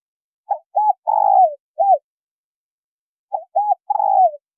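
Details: Spotted dove hen calling to prompt a male: two four-part phrases, each with quick paired coos, a drawn-out vibrating coo falling in pitch and a brief final hoot, separated by nearly two seconds of silence.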